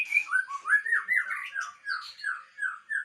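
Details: White-rumped shama from Aceh, a so-called super fighter, delivers a string of mellow, slurred whistles, each rising then falling, repeated about every third of a second.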